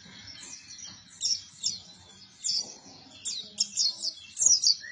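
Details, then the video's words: Pleci buktoni white-eye giving a busy song: short bursts of thin, high chirping twitters separated by brief pauses, against a low background hum. "PLECI BUKTONI GACOR"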